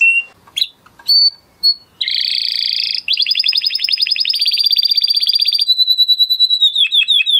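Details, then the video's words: Several scattered sharp chips from an excited male canary give way to a dense buzzy roll, then a long fast high trill that slows into separate repeated notes. "Beautiful canary song اواز زيباي قناري نر مست"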